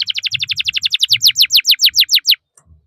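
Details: Prolific singing canary, used as a master recording for tutoring young canaries, delivering a rapid series of about twenty sharp descending whistled notes over two seconds, then stopping; faint low thumps underneath.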